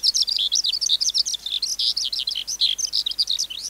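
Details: Wild-caught adult skylark, kept for training young birds to sing, delivering a fast, unbroken run of high twittering and warbled notes, many short rising and falling trills tumbling one after another with no pauses.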